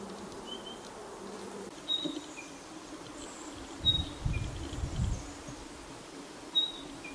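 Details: Spotted pardalote giving scattered thin, high whistles, some in falling pairs, amid outdoor background noise with a few low rumbling thuds.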